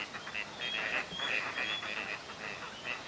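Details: Wintering Gadwall in courtship display for pair formation at a Chiba park pond, Japan, November: rapid overlapping nasal squeaks and short whistles from several ducks, with a constant noisy background.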